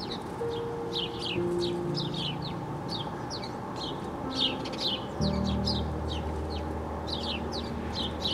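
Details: A male house sparrow with a nest and chicks, 23 July 2018, chirps steadily in short, bright, slightly downslurred notes in quick bursts, over a constant low rumble of background noise.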